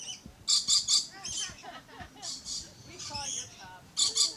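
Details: Red-collared lorikeet screeching in rapid harsh triplets, interspersed with twittering and nasal chattering notes, then another loud screech burst at the end.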